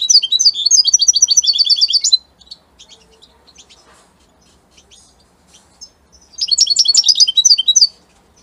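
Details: European goldfinch of the Italian type, singing fast bursts of bright, tinkling, twittering notes for about two seconds, then a pause with faint ticks, then another rapid, high, jingling phrase.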